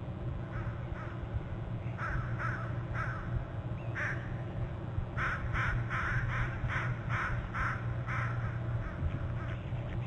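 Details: On Hornby Island, a territory camera captures a pair of bald eagles arriving together on 8 November at 7:39 and trilling from the top and upper left branches. Scattered piping notes lead into a rapid run of about eight repeated calls, all over a constant low electrical hum.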